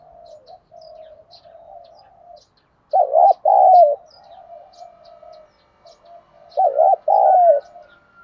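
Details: Spotted dove coo used to provoke wild birds: a soft, steady run of low cooing, broken by two loud double-note phrases, each a short hoot followed by a longer wavering one, several seconds apart.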